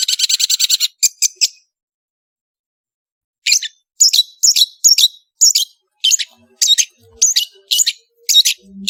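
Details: Long-tailed shrike (cendet) singing vigorously on a tutor track: a rapid rattling buzz of about ten evenly spaced notes, then a pause of two seconds. Scratchy high chirps follow, repeated about twice a second. Faint low sounds sit underneath.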